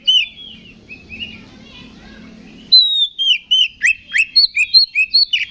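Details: Song of an Oriental magpie-robin, used to rouse rivals into fighting, begins with soft warbling, then a clear series of loud repeated whistled notes with sharp high accents.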